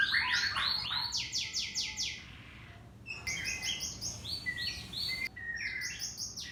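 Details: Canary song used to provoke other canaries to sing: dense rapid trills and buzzy repeated notes alternating with sharp chirps and whistles, delivered in quick continuous phrases over a steady low background hum.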